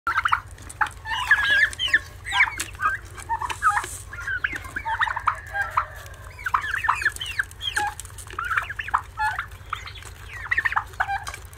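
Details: Turkey chicks calling, many short high chirps and rising peeps overlapping in a busy chorus, with a steady low hum underneath throughout.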